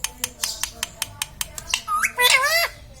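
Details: Pet parrot said to talk, saying mummy and papa; a steady series of sharp clicks, then a rising harmonic note and a longer, loud, wavering utterance near the end.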